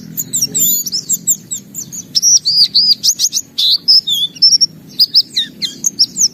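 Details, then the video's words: A white-eye in lively song with open beak, delivering varied borrowed phrases: high chirps, then a run of repeated looping whistled notes in quick succession, clear and penetrating. "Suara Burung Pleci Gacor Buka Paruh Bongkar Isian"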